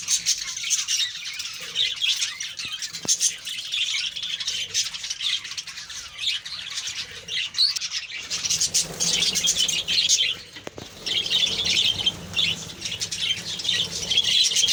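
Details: Budgerigars kept as a colony give continuous twittering chatter, a busy wash of high chirps and warbles that dips briefly around the middle before swelling again, with a few soft knocks.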